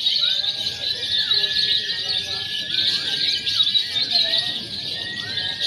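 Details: Lovebird contest simulation combining konslet, fighter and paud singing styles for training birds; a constant shrill, buzzy trilling wall from many birds, broken by brief rising and falling whistled notes.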